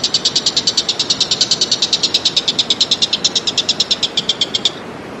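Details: Wild common green magpie in Indonesia giving a sustained rapid rattle, a long train of bright, clipped pulses at steady pace lasting about four and a half seconds, then stopping abruptly, leaving low background noise.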